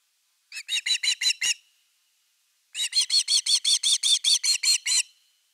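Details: Osprey at a nest camera in Finland on 30 August 2021, around an evening fish delivery: two bursts of sharp, harmonically rich chirps, six to seven per second. The first burst is short, the second longer, with a silent gap between.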